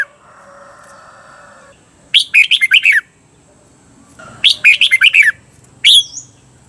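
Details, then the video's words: Red-whiskered bulbul giving the 'double' (เบิ้ล) song used to teach cage birds in Thailand; two brisk phrases of rapid, liquid chirps, then a single rising whistled note, with faint background hum early on. "เสียงฝึกเบิ้ล นกกรงหัวจุก เปิดสอนเบิ้ลยาวๆ เบิ้ลได้แน่นอน"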